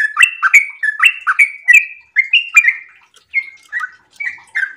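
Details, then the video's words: Sooty-headed bulbul in breeding condition, 'ropel' singing: loud chortling whistled phrases in quick succession, then a brief pause and a few slower, softer slurred notes. "trucukan gacor birahi ropel super panjang"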